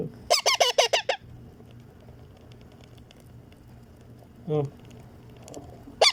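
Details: Pet baby Indian ringneck parakeet being hand-fed, giving a quick run of six raspy, rhythmic squawks, then a long quiet gap, one lower grating note and a final sharp squeak.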